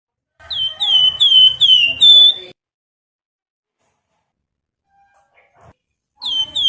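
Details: Master song of a caged Javan grey-throated white-eye, used to train and provoke cage birds: a quick run of five piercing whistled notes, a pause of several seconds, then the whistling starts again.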